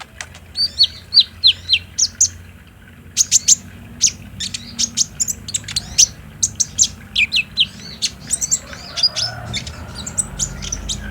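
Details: Lure song of a sunbird, recorded on a Samsung J5 for daytime play to set off a captive bird: long run of rapid, very high thin chirps and short trills in uneven bursts, with low background rumble rising at the end.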